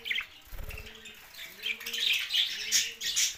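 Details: Short clip of budgerigars chirping in a rising, high twittering chatter that becomes denser toward the end, with a dove's low cooing and a soft thump early on.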